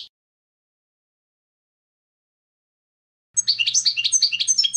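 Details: Goldfinch song breaks in after a long silence: a brisk series of bright, jangling twittered notes delivered quickly for a second and a half, with a faint low hum beneath.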